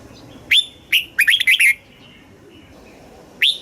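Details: Red-whiskered bulbul from Thailand, caged, singing southern master-style phrases to stimulate birds and instruct young. Two separate whistles lead into a rapid burst of four rolling notes, then a lone whistled note after a long pause.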